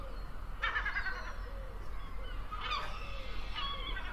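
Herring gull giving harsh, nasal calls in short bursts, about one each second, with other gulls calling behind and a steady low rumble of wind or surf.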